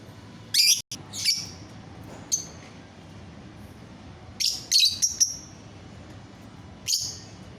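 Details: Caged lovebird singing to prompt other lovebirds to join in: sharp, very high shrill chirps in short bursts, some doubled, separated by pauses of one to two seconds, over quiet background hiss.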